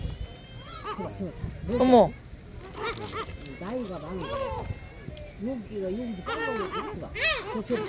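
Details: A noisy flock of gulls at Sinjindo, Seosan, South Korea, gives overlapping, arched, nasal mewing calls that rise and fall, several at once, with faint human voices.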